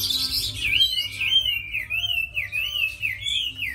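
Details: Tame caged Chinese hwamei, kept as a fighting bird and praised as a fine singer, delivering loud, clear whistled phrases that swoop and waver up and down in a rapid rolling series, with faint low room hum beneath.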